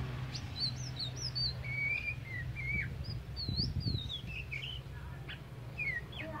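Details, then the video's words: Oriental magpie-robin, a tame kacer poci singing eagerly: bright high whistles and wavering slurred phrases, some rising sharply, others dipping, delivered in short bursts with a brief low thumping noise midway. "KACER POCI JINAK GACOR"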